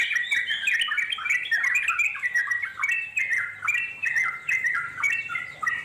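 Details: Long ngeropel song of wild Yellow-vented Bulbul, played to make wild birds reply: rapid liquid notes tumbling up and down in quick overlapping phrases, loud and unbroken.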